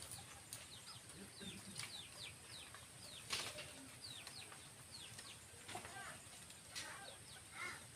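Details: Starlings afraid of strange sounds in the surrounding area, recorded in the wild: a flurry of short, descending chirps from several birds overlapping across the clip, with one louder burst midway and a steady high hiss behind.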